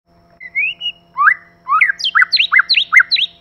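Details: White-rumped shama, male and female together: clear whistled song opening with a rising slurred note, then rapid sharp downslurred and V-shaped whistles in quick succession, over a faint steady hum.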